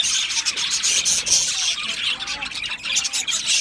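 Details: Budgerigars, Australian, in lively chattering warble, quick high chirps mixed with brief whistled slurs running without a break.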